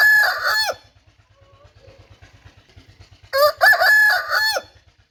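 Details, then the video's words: An Aseel rooster crows twice, a brief harsh crow then a longer, rough, broken cock-a-doodle-doo, over a low, steady thumping in the background. "Assel Roosters Crowing sound"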